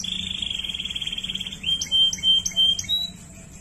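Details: Waterslager canary holding a low rolling trill, then breaking into short clipped bell-like notes spaced about every third of a second.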